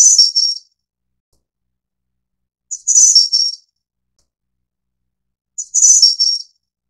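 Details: Taiwanese Snowy-browed Flycatcher (Ficedula hyperythra innexa) repeating a short, high-pitched tinkling phrase of several slurred notes, spaced roughly three seconds apart, three phrases in all, with no background noise.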